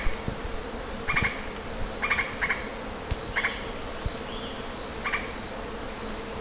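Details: Lettered aracari giving short, harsh stuttered notes, often in quick pairs, about six bursts over several seconds, with a steady high insect whine running throughout.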